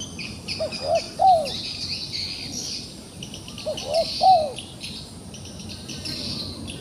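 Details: A wild pigeon, trapped and still fighting back, gives two short groups of soft coos about three seconds apart, each group two to three notes, against pulsing high insect calls.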